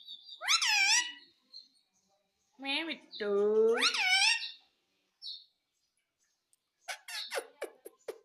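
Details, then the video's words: Talking parrot saying "mummy mummy": loud, wavering harmonic phrases with a deeper drawn-out vowel in the middle, followed by a quick series of sharp clicks or taps after a brief silence. "Talking parrot - Mummy Mummy Bolne Wala Tota"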